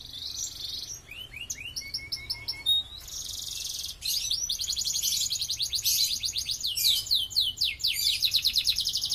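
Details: Canary song for training other songbirds: varied phrases of sharp rising chirps and short whistles, then a long fast rolling trill of repeated notes, about four per second, steady and loud.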